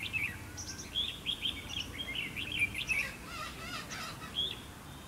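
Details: Trapped decoy red-whiskered bulbul singing to provoke fighting: a lively string of short, chirpy warbled notes throughout, with fainter replies behind, followed by brief speech.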